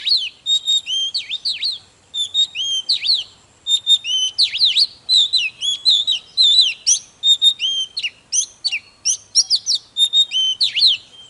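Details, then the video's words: Energetic Oriental magpie-robin song intended to push other birds into full song: a near-continuous stream of bright whistles, quick zigzag slurs and clipped chirps, delivered in dense phrases with only brief gaps. "Chòe than HÓT MÚA || KÍCH LỬA || Kích chòe than hót căng"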